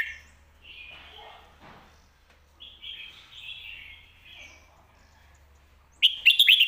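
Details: Professional competition Red-whiskered bulbul in a cage alternates soft, rambling warbled phrases with a short, loud burst of quick ringing whistles from its lak wai and mae bot songs.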